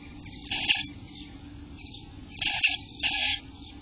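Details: Eastern bluebird nestlings in the nest on day 18, June 24, 2021, sometime between 6 am and 1 pm: three short bursts of high, hissy chatter separated by quiet gaps, over a steady low hum.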